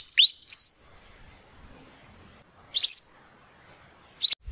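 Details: Belgian canary training song for young and adult birds: a few isolated, brief upward-curving whistled notes separated by quiet gaps.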